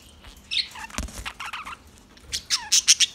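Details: Budgie chirps: a sparse run of sharp, high tweets and a few squeaky notes, the loudest and quickest coming in a cluster at the close.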